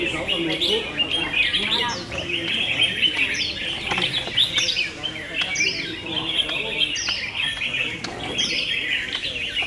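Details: Several red-whiskered bulbuls singing against each other in a contest, giving dense, fast chirping and short upward-flicked whistled notes that repeat throughout with hardly a pause.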